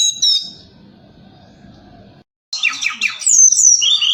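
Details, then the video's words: Forktail at night, lure calls meant to excite other birds into replying; a high whistle opens, then after a pause come dense harsh buzzy notes and sharp downslurred whistles. "Tledekan Gunung Gacor Malam || Suara Pancingan"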